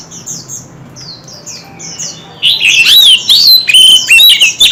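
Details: White-rumped shama in a heated singing contest. Soft, repeated high chirps from other birds come first, then a loud burst of varied whistled song with sweeping, warbling notes and sharp accents fills the second half.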